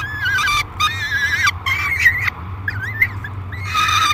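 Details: Peregrine falcon at a nest box at Great Spirit Bluff, July 3, 2021, a young bird screaming aggressively during feeding: harsh, strained wailing screams with wavering pitch, several long cries in quick succession over steady low hum.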